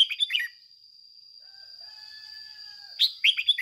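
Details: A lure red-whiskered bulbul sings a fired-up 'ché' song to rouse others: quick bubbly warbles at the start and end, with faint, drawn-out distant calls in the gap and a steady high whine in the background.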